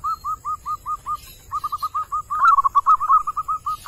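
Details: Wild zebra dove male calling, used for luring: a steady string of short clipped coos, then a brief gap and a faster, slightly higher rolling trill of coos before settling back to evenly spaced notes.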